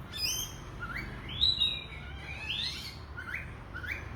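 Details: Oriental magpie-robin in full, energetic song, giving clear rising whistles and longer sweeping slurred phrases spaced about a second apart, with a constant low background rumble.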